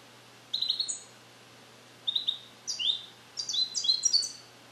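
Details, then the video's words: Captive-bred male European goldfinch, hatched in 2021 in the USA and taught Neapolitan song passages he is just beginning to repeat, sings from a carrier. Separate high twittering phrases build into a longer, busier jingling run. "Cardellino Passata Napoletana 2021 - European Goldfinch - Jilguero cante limpio"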